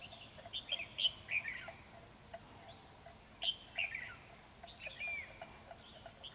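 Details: Red-whiskered bulbul singing in a bird trap, a bold fighting male overpowering the decoy bird: two quiet bursts of short, bright whistled and warbled notes about two seconds apart, set against a steady hiss of background noise.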